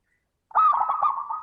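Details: Zebra dove song played to prompt other doves to sing: a single sustained, slightly rolling coo beginning abruptly after a brief silence and holding steady pitch throughout.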